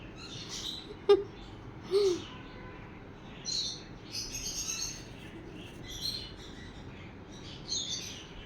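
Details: Sun conure parrots at play, making repeated brief high-pitched squeaky chirps spread over several seconds, alongside two lower tonal notes early on and quiet background talk.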